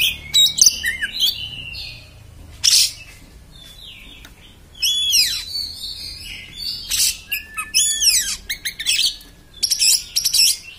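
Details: Harsh beset-style singing from an Oriental magpie-robin: bursts of scratchy, buzzy phrases mixed with fast downward whistle sweeps and short chirps, separated by brief pauses.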